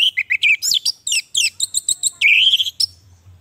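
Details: Orange-headed thrush singing a lure and master recording meant to coax silent captive birds: a dense, fast medley of high chirps, buzzy trills and slurred whistles. It ends in a longer warbled phrase.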